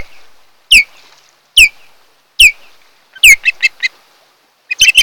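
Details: Wild osprey (Pandion haliaetus) at its nest on Kent Island, Maryland, one of a reunited mated pair, recorded by a nest camera on 8 July 2018: three piercing downslurred whistles, then a rapid run of shorter excited chirps.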